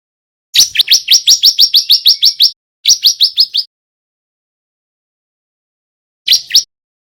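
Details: Male white-breasted bar-winged prinia, young and still learning to sing 'gacor' in loud, tight 'nembak' bursts: one fast burst of about twelve sharp upward-flicking notes, a short gap, five more, then after silence two final chirps.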